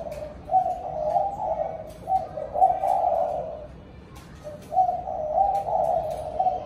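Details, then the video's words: Evening calls of a spotted dove gathering its flock: three groups of low, throaty coos, each made of several joined notes, with quiet gaps between them. "Cu gáy gọi đàn chiều"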